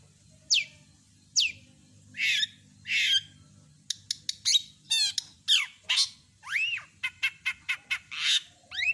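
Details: Long-tailed shrike singing a full mimicry repertoire. It opens with a few falling squeals and rasping notes, then speeds into a rapid mix of clicks, arched whistles and chatter.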